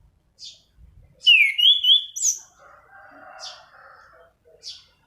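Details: Orange-banded thrush in rolling song, for luring and tutoring birds: a loud wavering whistled phrase with a high upward flick, then softer rough chatter and spaced high chips.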